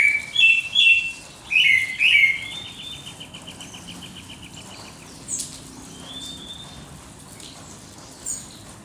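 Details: Dawn birdsong opening with a few loud whistled phrases, then a rapid even trill and soft distant chirps fading into quiet background noise.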